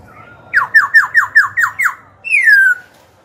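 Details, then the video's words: Black-throated laughingthrush, singing to provoke rival birds and train young ones, delivers a rapid, evenly spaced series of seven sharply falling whistles, then one long, loud downslurred note. "KHiếu tơ hót dìu bổi cực hay. Khiếu hót hay kích bổi đấu, luyện giọng bổi, chim non."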